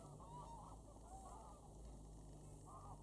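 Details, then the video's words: Geese taking off and landing at Wicken Fen and Burwell Fen on 23 September in the evening, with repeated nasal honks around mid pitch over a steady low rumble of background noise. "Lots of Geese take off & land"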